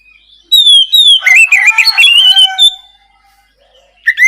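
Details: Oriental magpie-robin in clear, open song meant to coax a quiet bird into singing; long descending whistles, then a dense burst of warbled, chattering notes, a pause, and a new phrase starting.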